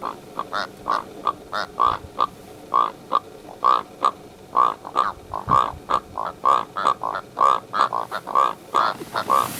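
A Karoo Korhaan gives a rapid series of hoarse, frog-like croaks, about two every second, mid-pitched and steady for the whole stretch.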